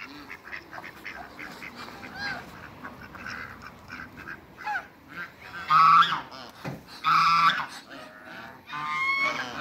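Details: Pekin ducks kept on a farm, a group of four: scattered soft quacks, then three loud, nasal, drawn-out calls with a few seconds between each, with some farmyard noise behind.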